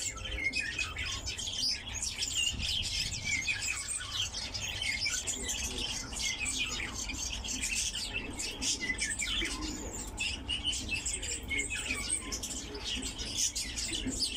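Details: A captive lesser short-toed lark sings a fast, unbroken stream of high chirps, trills and twitters, with a faint low hum underneath.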